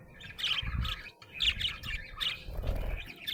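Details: Happy budgerigar chirping: lively grouped bursts of squeaky, buzzy warbles roughly every second, with low thumping knocks underneath.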